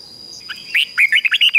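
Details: Decoy red-whiskered bulbul singing to lure wild birds: after faint high chirps, a loud run of quick warbled, bubbling notes in short bursts through the last second.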